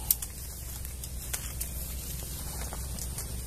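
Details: Low hum and scattered faint clicks and taps fill the recording, with no animal voice heard.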